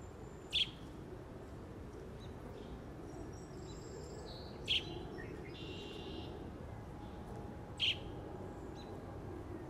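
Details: American robin fledgling calling for its mother: three short, sharp, high peeps spaced about three to four seconds apart over a steady background hiss, with faint whistles from other birds.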